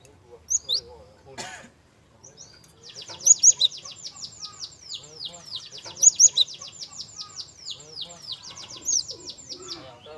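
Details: Java sparrow song, soft-voiced, played as a lure to prompt young birds to sing. A brief chirp opens, then a long, dense run of rapid, clicking high notes, broken by loud paired squeaky accents every three seconds or so.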